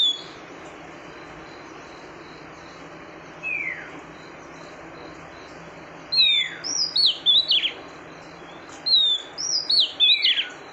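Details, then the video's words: Female oriental magpie-robin calling to stimulate the male: a single descending whistle, then two phrases of sweet sliding whistles and downswept notes near the end, over a faint steady background hiss. "Tiếng chòe than mái kích Trống"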